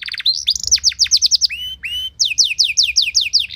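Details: Canary song used as training material to set other canaries singing: quick descending whistled notes in runs, two rising slurred whistles in the middle, then another rapid series of falling notes.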